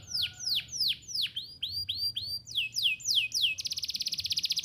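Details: Lively canary song as a teaching lure for young canaries: a series of clear swooping downslurred whistles, gradually quicker, ending in a rapid high buzzy trill.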